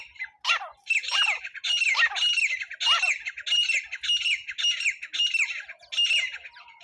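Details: Francolin call used as a lure for trapping: loud, harsh, scratchy bursts repeated roughly every two-thirds of a second, about nine in a row, each with a falling squeal, with no other sounds in the background.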